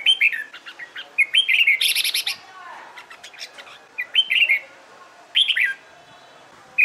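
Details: Competition-trained red-whiskered bulbul singing busily: a rapid string of bright chirped and warbled notes with a brief buzzy rasping burst in the middle, then two more short warbled phrases after a pause.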